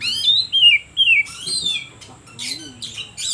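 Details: Oriental magpie-robin song meant to make other birds sing: three clear downward-slurred whistles, a buzzier sweeping phrase, then harsh, scratchy bursts.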